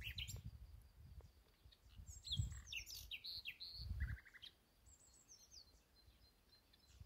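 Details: Common nightingale singing in an ash tree beside a newly moved-into home: varied quick phrases of sharp whistled notes, brief trills and chirping runs, with pauses between them, over low rumbling background noise.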